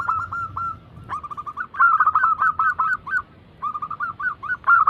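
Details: Zebra doves (perkutut), local and Bangkok crossing types, cooing together in an anggungan lure recording meant to set other doves singing: quick, warbling, rolling coo phrases overlapping in a dense, rhythmic run, broken by short gaps.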